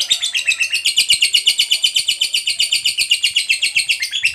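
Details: Long 'ngekek' song of a lovebird, played to prompt other lovebirds to sing. An unbroken rapid, even trill of bright chattering pulses, about four per second, that holds a steady high pitch throughout.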